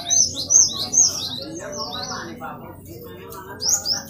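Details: Great tit in lively song for training caged birds: bursts of sharp high downslurred notes in quick series, a brief quieter gap of soft murmuring, then more high notes at the end.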